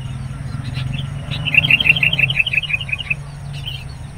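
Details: Sooty-headed bulbul luring wild birds, agitated by an approaching rival; a rapid series of about ten evenly spaced chirped notes, beneath a continuous low engine-like hum.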